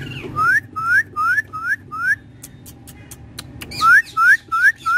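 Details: A talking parrot at home repeating one loud upward-sweeping whistle, five in quick succession, a brief pause with clicks, then four more, roughly three per second.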